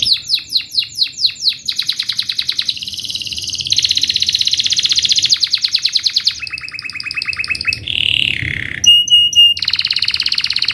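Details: Canary training song for young canaries: a loud, varied warble of rapid trill phrases, swooping slurred notes changing every second or two, one mid-pitched buzzy segment and a clear high whistled tone.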